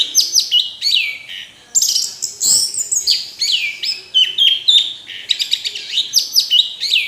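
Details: Orange-headed thrush in continuous rich song, a fast stream of varied high whistles, downslurred sweeps and rapid chattering notes with barely a pause, clean and loud against a quiet background.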